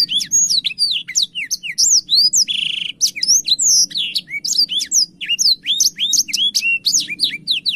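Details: Energetic song of a blackthroat that spreads its wings as it sings: fast, varied, high-pitched slurred whistles pour out continuously, with one harsh buzzing trill lasting about half a second partway through.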